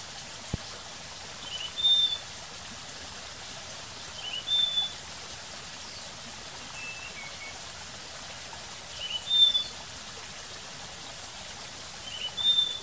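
Thin, pure high whistles, each brief and slightly slurred, come from a Slaty-backed Nightingale-Thrush every two to five seconds over a steady rush of running water.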